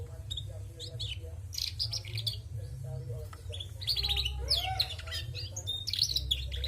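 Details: Female canary singing actively: a jumble of high twittering chirps, short trills and quick rising and falling whistles, with a constant low hum underneath and faint lower chirps.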